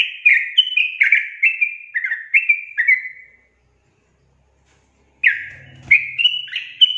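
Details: Sooty-headed bulbul song used to prompt lazy birds into singing: a run of loud, bright, slurred chirping notes, each dropping in pitch, delivered rapidly for over three seconds, a short silence, then a fresh burst of rising and falling chirps.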